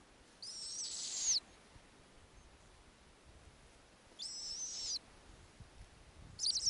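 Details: Arctic snowy owl nest on a warm summer night, eight owlets fed by the returning female with a lemming. Long, breathy, high hissing screeches, each near a second, repeated about every three to four seconds against quiet.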